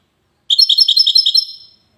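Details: Widani song of a European goldfinch from Safi, Morocco: a single clean series of about eight evenly spaced, bright ringing notes, slowly trailing off.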